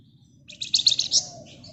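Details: Flamboyan bird in rapid ngebren chattering song for use as a lure: a short dense burst of high, fast buzzy notes rising in loudness, then fading.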